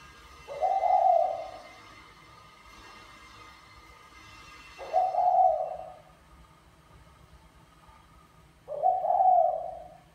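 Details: Spotted dove male of the Mã Phấn type courting a Bài Lối female, repeating a mellow, hollow coo three times about four seconds apart, with a faint hiss and hum in the background.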